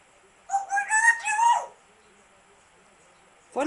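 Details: Grey parrot, also called African grey parrot, giving a harsh, rising, harmonic call broken into three linked bursts over about one second, followed by silence and the start of another sound.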